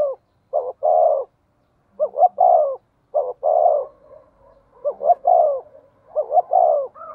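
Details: Spotted dove decoy with 'giọng thổ' voice, calling eagerly: four repeated cooing phrases, each opening with short clipped notes and ending in drawn-out mellow hoots, roughly every two seconds.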